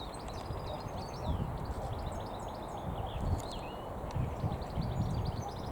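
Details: European goldfinch (local name maknin, hassoun) kept in natural breeding, giving a twittering song of quick high chirps and short slurred notes scattered throughout, over heavy low rumbling background noise.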